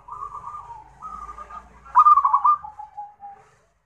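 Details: Local zebra dove song for therapy and bird training: soft drawn coos that lead into a loud burst of quick, bubbling trills, then two lower sustained notes that fade out. A faint low rumble runs underneath.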